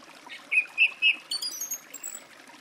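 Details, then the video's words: Song thrush singing three clear whistled notes in a row, followed by a rapid, very high twittering flourish, with soft hiss behind. "Голоса птиц. Дрозд певчий (Turdus philomelos)"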